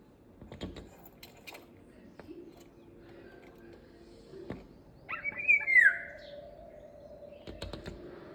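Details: Indian golden oriole whistling a single rich phrase partway through, short liquid notes and then a descending slur, with scattered clicks and knocks before and after.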